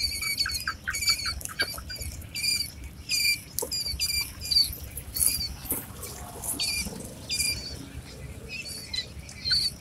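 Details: Quail chicks eight days old, many peeping together in repeated high thin chirps, several per second, with steady scratching and shuffling noise below.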